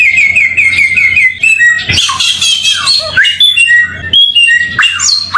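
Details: Samyong bird song for training cage birds, opening with a quick, even trill of repeated notes and moving into varied whistles and harsh notes over a faint low electrical hum.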